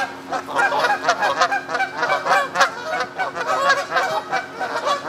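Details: Several moulting Canada geese on the South Pond at Midhurst, England, honk together in a dense, overlapping chorus of harsh nasal calls with no pauses.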